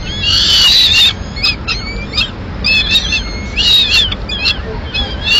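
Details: Peregrine falcon nest in Madrid, May 2016, where a female feeds her two chicks a piece of pigeon. Screechy, wavering wails are repeated in quick clusters, each a strained nasal note, with steady background hiss.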